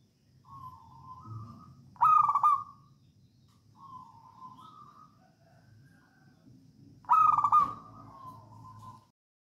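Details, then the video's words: Wild local zebra dove from Java, perkutut singing songgo ratu as a lure for other doves: soft rising coos, then a loud stuttering trill, the phrase repeated twice about five seconds apart over faint low background rumble. "Perkutut lokal alam gacor songgo ratu"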